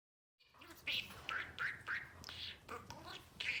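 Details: Albino male budgerigar, about four years old, kept as a pet, talking: short high chattery word-like bursts, about six in quick succession, each with a sliding, buzzy tone.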